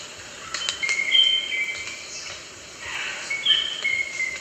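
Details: Rosella giving two bouts of bright, level whistles that change pitch in steps, separated by a brief rushing noise, with light hiss throughout.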